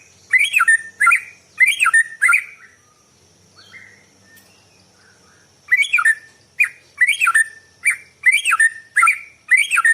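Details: White-rumped shama singing in the morning, song used to lure other birds: short bright whistled phrases sliding down, each with a sharp high overtone, given in bursts with a quiet gap midway and a steady faint high hiss behind.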